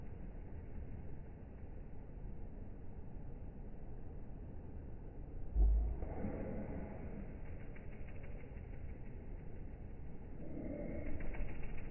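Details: A low, steady engine-like rumble fills the recording, with a brief thump partway through and no animal calls.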